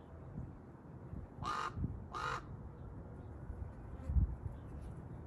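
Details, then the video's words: Large black common raven calling in a tree, giving two harsh, rasping caws about half a second apart over a steady low rumble of wind or distant traffic. "Large black Raven 🐦‍⬛ bird making noises in a tree"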